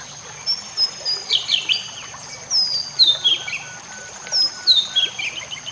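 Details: White-rumped shama song for training other shamas, mixed with nature sounds and trickling water: sparse clear whistles sliding downward in short phrases, with pauses between them over a steady high hiss.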